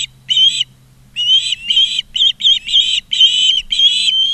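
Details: Osprey calls at the Charlo, Montana nest on 20 August 2023: bright, piercing whistled notes in choppy bursts about half a second long, coming nearly continuously after a brief pause near the start.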